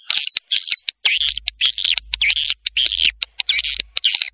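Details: Vietnamese-style 'janda' swiftlet calling sound: bursts of harsh, buzzy twittering chirps, roughly two per second, separated by crisp clicks and brief silences, with a faint low hum underneath.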